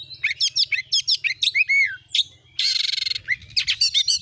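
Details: Oriental magpie-robin song meant to stir a kept bird into singing: rhythmic repeated chirps and slurred whistles, a loud harsh buzzing rattle, then more sharp notes, over a low humming background.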